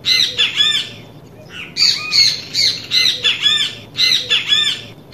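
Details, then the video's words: A great kiskadee recorded in the wild gives loud, harsh three-part phrases, each a burst of raspy, arching notes, repeated about once a second against a faint background hiss. "Som Canto do Pássaro Bem te vi Gravado na natureza. Áudio real do passarinho Pitangus Sulphuratus"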